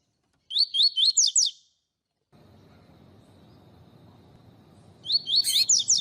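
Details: Double-collared seedeater singing the tui tui style, used to warm up and train other seedeaters: short bursts of quick, high, sliding whistled notes, five or six per burst, separated by a stretch of low background hiss.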